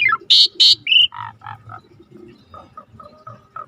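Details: Asian pied starling singing actively, a tutor recording for training birds: loud buzzy high bursts, then a descending whistle and a string of softer, lower warbled notes with a low background hum.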